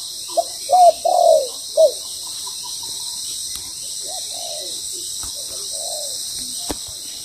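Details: Spotted dove decoy bird, moulting, calling during trapping: a quick burst of three or four arched coos early on, followed by fainter, softer coos and occasional clicks amid a steady insect hiss.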